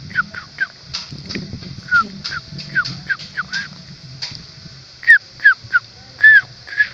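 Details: Sooty-headed bulbul found at its nest during a nest search: short clear downslurred notes repeated in quick irregular bursts, some louder near the end, over a faint low rumble and a steady high hiss.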